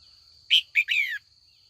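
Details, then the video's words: Female red-whiskered bulbul under training in the afternoon, calling to provoke old wild-caught males into competitive song: a short bright chirp, then a brief note and a longer slurred, descending warble, over a steady high-pitched whine. "Luyện chào mào mái chiều gọi bổi già rừng hót đấu ra giọng chuẩn nhất vùng miền"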